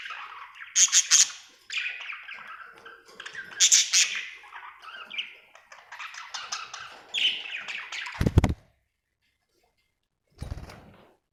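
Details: Happy budgerigar chirping in a chattering warble, with scratchy high chirps and clicks in bursts, followed by two loud short thumps separated by silence.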